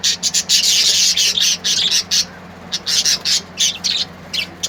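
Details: Colourful birds singing: loud, rapid, high-pitched chirping and squawky notes in quick, uneven bursts, several per second, with only brief breaks, above a low steady hum.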